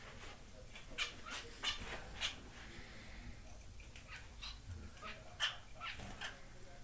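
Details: Society finches, a pied male and female pair kept in a new indoor flight cage, give a string of brief buzzy chirps at uneven intervals, some louder, over faint low hum.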